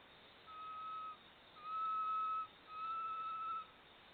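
Three long, pure, level whistles from a Great tinamou, each slightly tremulous and rising a little at the end, spaced about a second apart over a quiet background.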